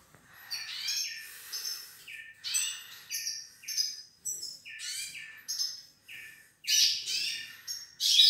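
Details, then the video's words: A pair of Hooded siskins, male and female, together; bright twittering song of rapid chirps, trills and buzzy notes in bursts separated by brief pauses, fairly loud and continuous over eight seconds. "Casal pintassilgo do Nordeste"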